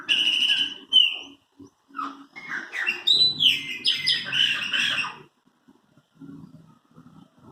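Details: Chopi blackbirds kept as the recordist's own birds, singing: a rich burst of clear whistles, sharp rising slurs and buzzy, chattering notes packed into about five seconds, then a near-silent stretch with faint low rumbling in the background.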